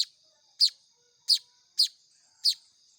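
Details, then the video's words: Baya weaver chicks calling to be fed by hand: five harsh, high chips in three seconds, loud and clear above a thin steady whine. "SUARA ANAKAN BURUNG MAYAR"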